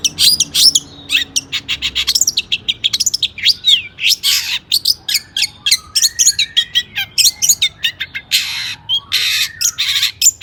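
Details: Long-tailed shrike singing intensely, used as a lure to excite other shrikes into singing: a dense, fast run of sharp high chirps, trills and buzzy bursts with many imitated phrases, bird after bird style notes packed closely together.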